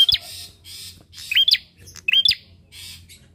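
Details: Bar-winged prinia sounding repeatedly, used as a lure to prompt other birds to sing: three piercing, high, upswept chip notes spaced about a second apart, with soft hissy noise and low hum between.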